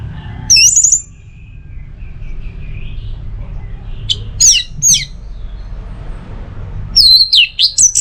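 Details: Orange-headed thrush in a tutor and trigger recording for teler singing: scattered loud whistled phrases, some sweeping steeply downward, with quiet gaps between them, ending in a rapid string of high, sharp notes.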